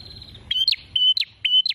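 A prinia gives high, thin, sharp notes, each a short level whistle ending in a quick downward slur, repeated about twice a second after a faint high trill.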